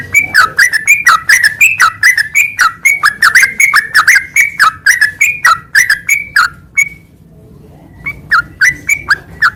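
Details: Lively yellow-vented bulbul song used as a master recording to spur singing: about seven seconds of quick, bubbly, falling whistled notes, a one-second gap, then a few more short phrases.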